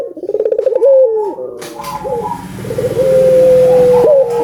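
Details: Albino collared dove in steady song, played so that other doves will call: a pulsing rolled passage, short rising notes and a long level coo, over a low humming background.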